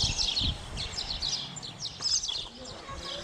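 Spotless starlings give a busy stream of high, squeaky chirps and short slurred whistles, with some low murmuring, possibly voices, underneath.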